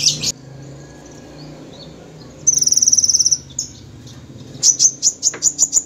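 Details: High-pitched gacor song of a kolibri ninja sunbird: a sharp opening note, then a fast buzzy trill of about one second, ending in a quick run of repeated bright chirps, over a low hum.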